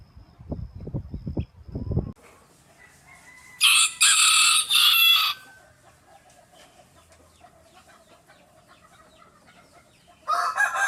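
A rooster gives a loud, harsh crow of about two seconds, split into two strained bursts. Another brief outburst comes near the end, after a few low thuds at the start.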